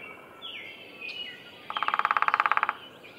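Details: Single drum roll of a Downy woodpecker in Roberts Bird Sanctuary, Minnesota: about a second of quick, evenly spaced taps, roughly seventeen strikes, preceded by soft sliding chirps from other birds.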